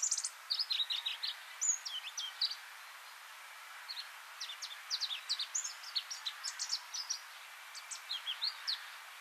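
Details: Pallas's leaf warbler, a scarce passage migrant, on Hegura Island, Japan: a steady stream of short, high, sharp chips and clipped notes in quick irregular clusters, with faint steady background hiss.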